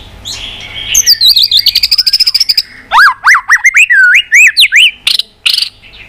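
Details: White-rumped shama singing an intense fighting song: fast rattling series of high notes, then loud swooping whistles rising and falling about four times a second, ending in harsh bursts.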